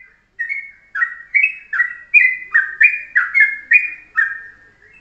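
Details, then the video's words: Yellow-vented bulbul delivering a morning master song in short, tight phrases for tutoring birds: crisp chortled notes in a brisk, uneven run of about three per second, clean background. "pagi pagi masteran Ropelan Trucuk dengan pendek rapet"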